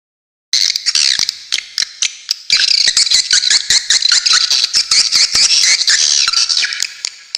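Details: Swiftlet calls recorded as a tutor track for training songbirds, with sharp rapid bursts: dense, high, buzzy chirps and twittering trills after a half-second of silence, with many sharp clicks scattered throughout and continuous overlapping chatter.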